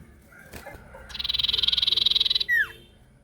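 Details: Sirtu bird singing to draw other sirtu into answering: a soft whistle, then a fast, even, buzzy chattering trill lasting over a second, ending in a loud, clear, downward-sweeping whistle; faint low background rumble.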